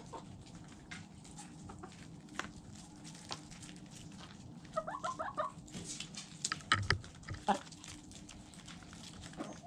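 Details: Feeding chickens pecking: a steady scatter of soft clicking taps against a noisy low hum, with a short run of quick clucks midway and louder pecks toward the end.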